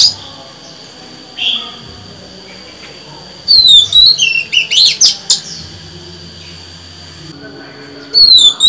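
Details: Female Oriental magpie-robin singing to stimulate males. After a quiet stretch with a faint chirp, a lively phrase of looping whistles and sharp notes follows, with a steady high hum underneath.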